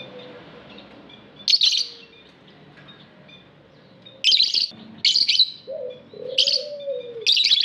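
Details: Lovebirds in an aviary produce repeated loud raspy chirp bursts every second or so, with soft low cooing tones from other birds underneath.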